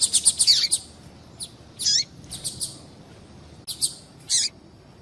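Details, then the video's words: Female double-collared seedeater calling to stimulate male song: a quick burst of high chirps and descending slurs, then scattered sharp notes and a falling whistle, with faint hiss behind. "Piado de Fêmea de Papa capim para Esquentar Papa capim"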